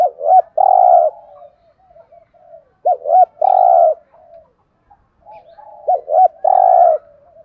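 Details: Cooing of a decoy spotted dove used for luring others: three evenly spaced phrases, each two brief hooked notes then a long sustained coo, repeated about every three seconds, with quiet low notes trailing between.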